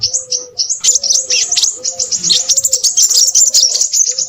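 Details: Crimson sunbird singing busily: a rapid stream of high, thin chirps and twittering notes crowding one after another, with a steady lower tonal note recurring underneath.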